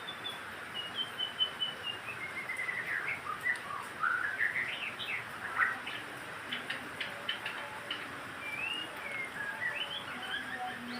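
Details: White-rumped shama song used to stimulate birds to sing: clear whistled sweeps rising and falling, mixed with rapid chirps and trills in a varied, continuous sequence over a quiet background.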